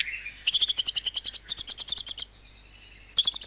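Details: Caged white-rumped shama from Cililin, Indonesia, singing in the 'nembak cungkok' style meant to provoke other birds: a soft low whistle, then a fast even rattle of high sharp chips lasting over a second, repeated after a pause.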